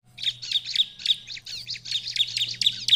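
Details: Bar-winged prinia song, meant to make other prinias answer at once: a fast stream of sharp, high, buzzy chirps, closely packed and slightly uneven, over a faint low steady hum.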